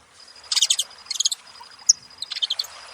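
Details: Saffron finches making noise with three short rapid chattering trills of bright pulsed notes, separated by brief pauses, a faint steady high tone behind.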